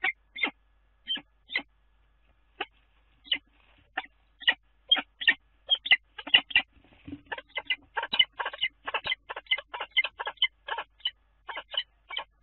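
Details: Common kestrel at its nest site on the Dunea water tower, Scheveningen, recorded 10 April. Clipped, rasping notes, at first spaced a second or more apart, then quickening into a rapid, stuttering series in the second half.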